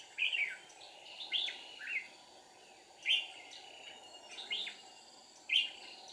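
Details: Red-whiskered bulbul at a deep-forest trapping site, 1 April 2019, a wild bird aggressively scolding a decoy: scattered short, sharp, slurred chirps about once a second or less, separated by quiet gaps, over a steady humming background.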